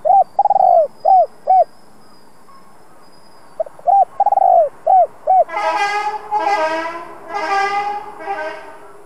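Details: Spotted dove, a caged decoy bird with a two-ending 'giọng đồng' voice, used to stir and lure wild doves. Soft rounded coos repeat in short bursts, then a louder, harsher, harmonic-rich call with several strokes takes over the second half.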